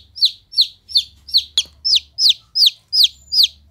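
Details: Cute golden-coloured chick peeping loudly: ten clear, high, downward-sliding peeps, evenly spaced about every third of a second, with a single sharp click partway through and quiet background otherwise.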